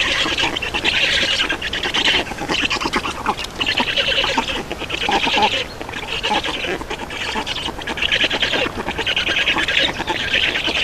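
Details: Black Stork nest in Estonia, 31 May 2019 at 11:48, adults changing over and feeding: grating, nasal squawks in rhythmic bursts about every second, continuing throughout with a few short lulls.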